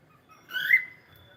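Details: Pet cockatiel singing: one clear whistled note that swells and rises slightly, lasting about half a second, in a quiet room.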